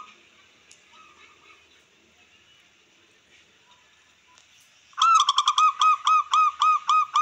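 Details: Zebra dove of the local wild type (perkutut lokal alam) singing to excite rivals and breeding drive: soft, distant cooing, then a loud, evenly paced run of about twelve clipped coos.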